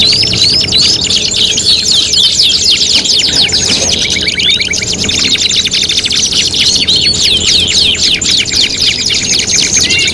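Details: Canary singing on a competition tutoring recording: long, loud runs of rapid trills and buzzy rolls, very fast and continuous, shifting between finer and coarser rattling phrases.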